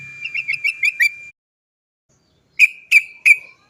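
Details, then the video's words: Yellow-vented bulbul 'cok cok' calls meant to make birds sing: a fast run of clear chock notes, a pause of silence, then three loud, evenly spaced sharp notes. "TRUCUKAN GACOR ... suara cok cok cok ngerol panjang PANCINGAN burung trucukan agar cepat bunyi"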